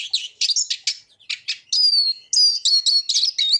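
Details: Eurasian siskin song of twittering notes and a drawn-out thin descending wheeze, followed by several quick buzzy phrases.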